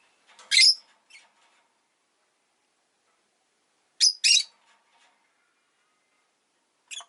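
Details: Pet rosy-faced lovebird (Agapornis roseicollis) giving shrill, high chirps in short bursts: a loud double chirp near the start, a pair around four seconds, and a brief final note, with faint clicks between.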